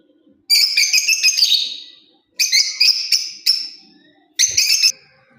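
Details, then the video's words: Lovebird parrot chirping in three clusters of quick, shrill, harsh notes, each cluster about a second long, separated by short pauses. "Love bird parrot beautiful Chripping sounds voice"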